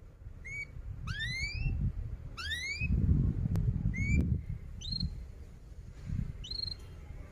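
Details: Canary giving loud rising whistled 'cuit' notes, single or doubled, roughly every one to two seconds, over steady low rumbling background noise; used as a lure for young canaries learning to sing.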